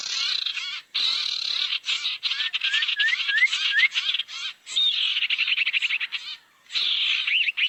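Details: Barn owl sound played as a lure to bring owls together: continuous rasping, hissy screeching with several quick upward-sweeping whistles in the middle and a looping whistled note near the end.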